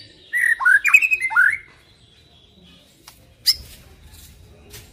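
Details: White-rumped shama song played as a lure to prompt silent shamas to answer: a burst of slurred, downward-sweeping whistles lasting about a second, then near quiet broken by one sharp high note.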